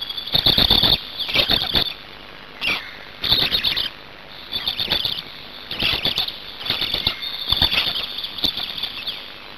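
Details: Black storks at a nest in Hungary on 8 May 2019 during mate change-over and feeding: repeated harsh, hissing, chattering bursts, roughly nine in ten seconds, each lasting under a second, with rustling between them.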